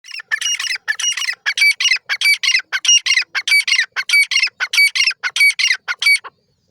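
Grey francolin giving loud, harsh, metallic notes in quick rhythmic bursts, about two notes a second for six seconds, with nothing else heard.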